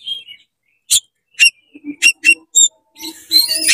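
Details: Oriental magpie-robin in fast, excited song meant to provoke rival magpie-robins: sparse sharp high notes spaced irregularly, soft low hooting tones between them, ending in a dense scratchy chatter.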